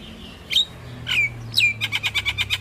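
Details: Javan myna master song meant to train young mynas, rich in varied phrases: a few sharp slurred whistles dropping in pitch, then a quick, even series of about eight repeated chirping notes.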